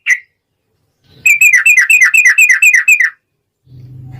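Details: A lone chirp, then a burst of about a dozen quick, bright downslurred notes lasting two seconds, from a yellow-vented bulbul singing a long ropel phrase used as a lure to make other bulbuls sing; a faint hum follows.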